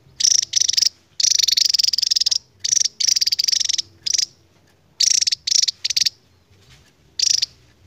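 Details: Endemic Javan tesia singing in the long 'ngebren' style, with shrill, fast-pulsed trills in bursts of varying length, the longest running about a second, with brief pauses between them and a quiet background.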